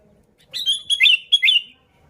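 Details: Sooty-headed bulbul in lively song for luring other bulbuls: a single one-second phrase of three or four bright, bubbling, slurred notes.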